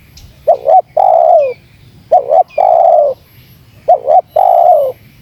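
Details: Spotted dove call used to lure and provoke wild doves. Three phrases, each a quick two-part wavering note and then a long, mellow, slowly falling coo, repeating about every 1.7 seconds over a quiet low hum.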